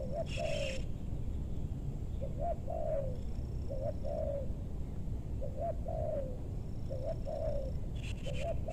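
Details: Distant spotted dove in a meranti forest near Bogor, Indonesia, during luring: a series of soft, evenly spaced coo phrases, each a couple of quick notes and a falling hoot, over strong low background rumble and occasional chirps.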